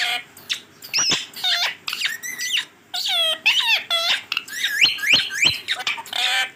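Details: Pet green Rose-ringed parakeet talking in a busy stream of raspy, word-like syllables with squeaky upward-sweeping whistles scattered through.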